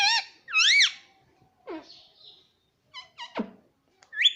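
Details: Pet baby parrot indoors calling with loud arched screeches, downward-swooping squeaks and short clipped chirps, ending on a rising squawk.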